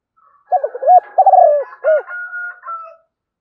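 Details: Decoy spotted dove calling to attract wild birds: one low cooing phrase with a wavering descending middle note and sharp final coo, followed by thin, steady tonal humming.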